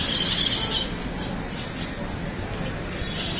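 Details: A flock of wild parrots in palm trees at Parque Duarte, San Pedro de Macorís, Dominican Republic, gives a dense, continuous wash of high, harsh squawks and screeches, loudest at first, over a faint background hum.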